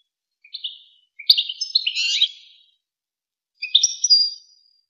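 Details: European goldfinch song in the Wakr Touzgha style, from a tape used to train young goldfinches and hybrids: three bursts of high, bright twittering, a short one, a longer jumbled warble, then a final trill, with clean silence between.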